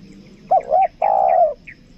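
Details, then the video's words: Spotted dove kept for luring, 'kuk dua' style, uttering a brief warbled coo and then a long falling coo, with a few faint higher chirps from other birds in the background. "PIKAT TEKUKUR KUK DUA"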